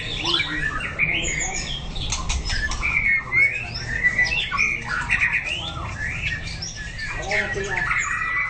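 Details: White-rumped shama in song training, delivering a dense, continuous stream of harsh squawky notes mixed with short whistles and buzzy phrases against steady low background noise.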